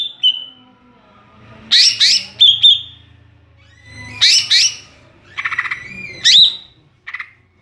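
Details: Greater green leafbird, called cucak ijo, in ngeplong song: harsh squawky bursts mixed with sharp falling whistles, sounding in separate clusters over a faint low hum.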